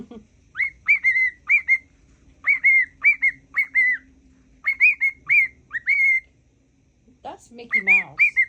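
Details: A pet male cockatiel whistles a learned tune, which his owner believes is the Mickey Mouse song, in clear, slurred notes, mostly short rising-then-falling phrases about twice a second, with a few faint household voices in the background.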